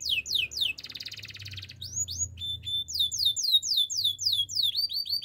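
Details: Canary song meant for training other canaries: rapid series of high, sweeping descending notes, a dense buzzy rattle, then more fast repeated down-slurred whistles and rolling phrases, about four notes per second.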